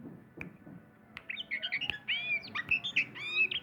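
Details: Sumatran white-rumped shama, a kept bird, opening with sparse clicks then breaking into a fast run of bright whistled and chattering notes, varied and continuous through the second half.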